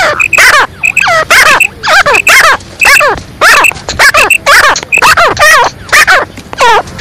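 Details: Female black francolin, the kala teetar, in a lively 'masti wali' mix of calls: loud, grating, ringing notes with wobbling overtones, repeated steadily and almost without pause through the whole stretch, with short sharp clicks between them.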